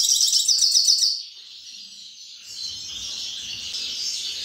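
A grey-crowned goldfinch gives about a second of fast, high, tinkling twitter, then falls silent; a steady hiss fills the rest.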